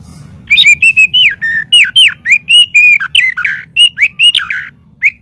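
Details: Training master audio of a White-rumped shama: an almost unbroken run of slurred whistles, many sweeping downward, over a faint low hum.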